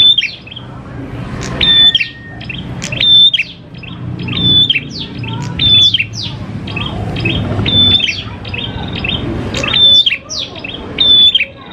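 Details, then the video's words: Prinia song used to coax prinias into singing. A run of about eight phrases, each a sustained high whistle followed by a cascade of sharp descending chirps, with one long lower whistle early on. "PANCINGAN PRENJAK KLAWU GACOR, NGALUN BIKIN PRENJAK CEPAT BUNYI"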